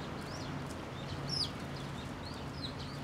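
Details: Sparrows arriving at a pillar to be fed at a Tenmangu shrine on 26 June 2024; short, high, arched chirps scatter through the scene, one louder and sharper near the middle, over a steady low rumble.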